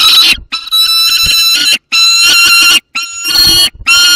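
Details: Young peregrine falcon with prey, together with an adult, Barycz Valley, Poland, 30 August 2022: loud, harsh wailing notes, each about a second long, strongly harmonic and ringing, repeated with brief silent gaps.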